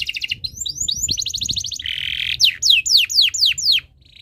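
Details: Singing canary in breeding condition, used to prompt other birds to sing: short trills and rapid chips, a brief buzzy rattle, then six loud sweeping downslurred whistles evenly spaced.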